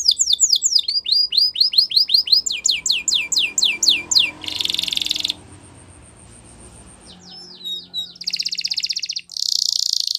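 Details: Canary training song: a long run of rapid sweeping notes, a harsh buzzy roll, a brief quiet spell, then a few slurred notes and two more loud rolling trills.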